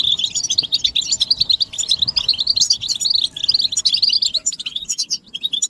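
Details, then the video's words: European goldfinches in group chatter, said to be mating and readiness calls that stimulate males to sing; rapid, liquid, high-pitched twitters run continuously, thinning slightly near the end. "بتبتة الحسون تحفيز الحسون على التغريد والهيجان علاج صمت الحسون goldfinch stimulation"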